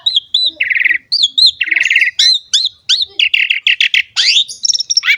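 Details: Asian pied starling singing for young birds to learn from: repeated arched whistled notes alternating with buzzy rattling phrases, then a rapid series of harsh bursts and a rising sweep, loud and continuous.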